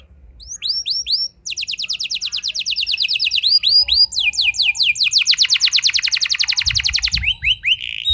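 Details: Canary singing a rolling 'ngeroll' song to tempt other canaries into song: a few bright downslurred notes, then long rapid high trills that shift pitch and speed, closing with a brief buzzy phrase.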